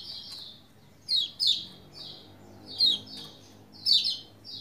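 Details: Lombok white-eye singing to prompt other white-eyes to join in; four loud high bursts of chirps and falling slurs separated by softer phrases, faint low hum underneath.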